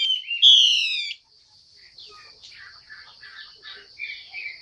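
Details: Female Chinese hwamei calling to stimulate a male's singing. It opens with one loud, harsh, nasal call of about a second, then gives soft, varied chirps and short notes over a steady high hiss.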